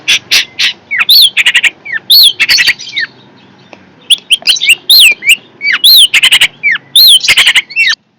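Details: Fierce long-tailed shrike in full voice, alternating scratchy buzzy bursts with clear looping whistles that rise then drop, delivered in two rapid bouts separated by a short pause.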